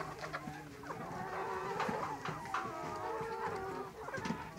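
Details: Domestic layer chickens kept for eggs or meat; a flock gives overlapping soft clucks and drawn-out calls, continuous throughout.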